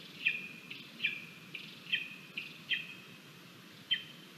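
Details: Lesser spotted eagle nestling at feeding time in Latvia, 17 August 2022, crabby toward its mother; repeated high squealing whistles with trailing tones, partly masked by broad background hiss.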